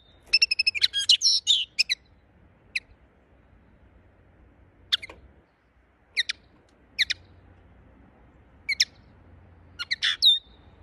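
A linnet gives an opening burst of rapid twittering, then short high chirps and trills in irregular clusters every second or so, over faint low hum.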